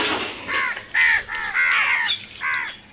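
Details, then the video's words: Crows calling: a run of harsh, nasal caws with downward-bending tones, several in quick succession, some overlapping, with faint background hiss. "Crow sounds"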